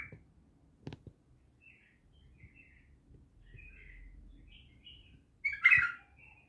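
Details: An untrained bulbul from Naft Khaneh gives scattered faint chirps across a quiet stretch, then a sudden loud, rich warbled burst near the end. A couple of knocks are heard early on.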